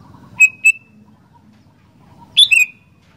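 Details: Sooty-headed bulbul singing actively: two short, bright whistled notes that slide downward, a pause, then a louder, richer double whistle falling in pitch near the end; faint low background rumble.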